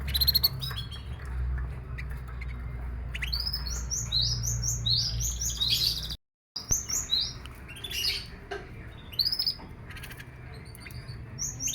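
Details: Canary sunned in the morning to encourage singing: scattered short high chirps and twittering notes, rather faint, over steady low background hum, with a brief silent gap midway.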